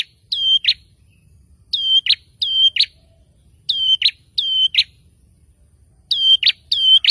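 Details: A male bar-winged prinia sings hard to goad rivals into responding, repeating crisp high whistled notes that each end in a short buzz, grouped in pairs with clean silence between groups.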